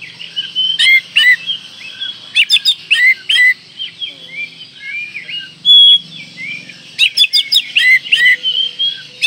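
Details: Oriental magpie-robin singing in breeding condition to rouse rival birds: clusters of sharp downslurred whistles and chips alternating with softer warbling, a quiet middle stretch, then another burst of quick notes.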